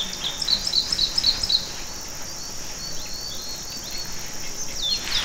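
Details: Red crossbill at Bidoup, Vietnam, giving five sharp, clipped chirps in a quick even series near the start, then softer scattered call notes over a constant insect-like hiss.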